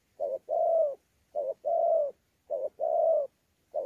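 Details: Spotted dove, a wild-caught mixed local bird, recorded in Sa Thầy, Vietnam, on 26 November 2019, giving 'đấu' cooing with 'gù' notes: soft low coos in pairs, a short clipped note then a longer falling one, repeating about once a second.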